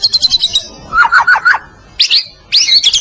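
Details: Medan white-rumped shama (murai batu) in masteran song for training other birds: quick high chips, a run of lower warbled notes, and then short bursts of high twittering.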